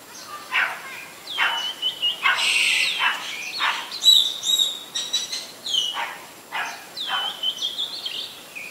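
Asian barred owlet giving harsh, screechy squawks mixed with thin falling whistles, about two notes a second in uneven bursts, over faint background hiss.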